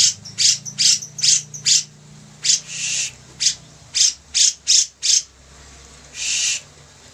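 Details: Bearded bulbul singing vigorously for a training recording: a quick series of harsh, buzzy bursts, a longer grating note, another run of bursts, then a drawn-out rasp after a short pause.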